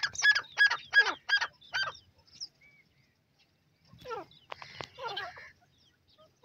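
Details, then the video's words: Grey francolin, known locally as Sindhi teetar, calling: five loud, harsh, ringing notes in quick succession within two seconds, then a short pause and a burst of rougher, scratchy, descending calls. "sindhi teetar awaz"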